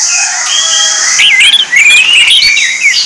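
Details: Lure song of an orange-headed thrush: a steady high whistled note gives way to a rapid run of sliding, rising-and-falling whistles and twittering notes, bright and strong throughout.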